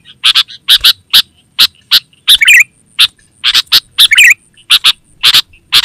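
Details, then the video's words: Kutilang, sooty-headed bulbul, giving busy calls meant to attract wild bulbuls and tutor caged ones; steady series of short harsh chirps, often doubled, with two rich gurgling warbled bursts in the middle, thin high tone throughout. "Suara Burung KUTILANG GACOR Terbaik Untuk Panggilan dan Masteran"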